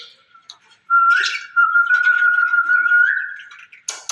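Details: Caged ring-necked parakeet pair said to talk together in Urdu and Hindi: one long steady whistled tone held for over two seconds with slight wavering, a short raspy burst near its start, and a sharp click at the close.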